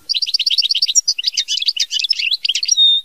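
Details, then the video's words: Continuous high goldfinch song in the mama binette style, quick repeated chirps flowing into varied jumbled twittering, finishing with a clear sustained whistle. "Chant Chardonneret mama binette"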